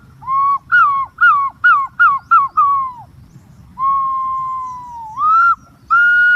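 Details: Green pigeon whistling a quick series of short, falling notes, then after a pause a long level whistle that dips and swings upward, followed by a final rising held note.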